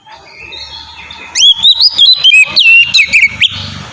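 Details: Oriental magpie-robin in ngeplong style, a lure for captive singers: after a soft, murmuring start, a loud two-second run of bright rising and falling whistles and quick chirps.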